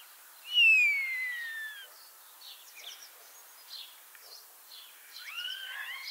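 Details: Common starling with a Lithuanian ring, returning to Liepāja, Latvia, opens with a loud, long downslurred whistle, then soft scratchy clicks and short notes, ending in a pair of rising, looping whistles.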